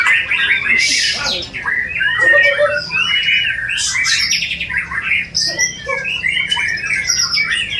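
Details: Sharp-voiced white-rumped shama in a bowing posture, its song richly filled with mimicry: loud whistled phrases broken by harsh bursts and brief pauses, notes sliding up and down.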